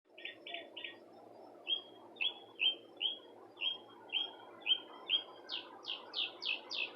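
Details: A bird outside a porch gives a steady run of short, high chirps, about two a second, moving from flat notes to down-slurred ones and sharper notes, over a low rumble.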